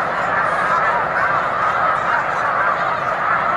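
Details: Snow Geese flock on Cayuga Lake in March, a short burst of constant overlapping nasal honks forming a thick, even chorus.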